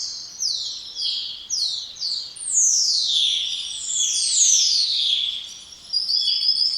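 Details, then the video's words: Spotless starling whistling a quick run of four short downslurred notes, then long overlapping whistles gliding downward, ending in a steady high buzzy tone. "Canto dos Estorninho Impecável ou Estorninho Imaculado"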